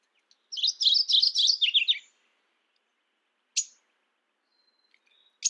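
A Mourning Warbler gives one quick, rolling phrase of paired notes that drops slightly at the end, then two sharp, isolated chips a couple of seconds apart.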